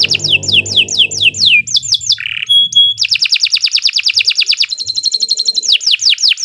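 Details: Canary in long master song for training other birds: falling whistled sweeps, a short low buzz and pure note, then extended rapid repeated chips and a high trill, ending in downslurs; low hum at the start.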